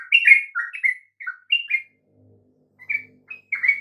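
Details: Sooty-headed bulbul singing to encourage other birds to sing: bubbly whistled phrases that step up and down, a short pause, then more fluty notes.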